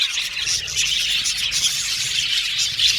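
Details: Short burst of budgerigar chatter: high, busy twittering and chirps overlapping from several birds, steady throughout.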